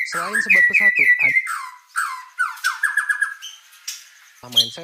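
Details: A man talking briefly, then a white-rumped shama in full song with quick repeated whistles, slurred descending notes and a fast stuttering series, with more speech at the end.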